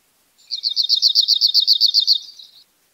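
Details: Cirl bunting in İzmir, Turkey, in May 2021, giving a slower rattling trill of about a dozen buzzy high notes, evenly spaced, trailing off into softer notes at the end; nothing else audible.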